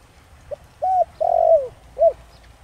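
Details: A single low, mellow phrase from a spotted dove singing the Thổ Đồng voice used as a lure for wild doves: a tiny lead-in note, a rounded coo, a long sliding coo, then a short final note.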